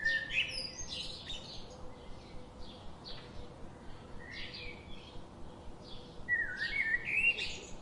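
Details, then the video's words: Chirping birds: several soft, fuzzy tweets scattered through, building to a louder, rapid warbled phrase of twisting whistled notes toward the end, over a low steady murmur. "birds chirping relaxing birds sound"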